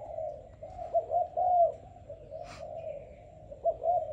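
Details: Young selected Malaysian-type spotted dove cooing: soft, low, hollow coos in two bursts, separated by a quiet pause and a brief sharp noise, with faint background hum.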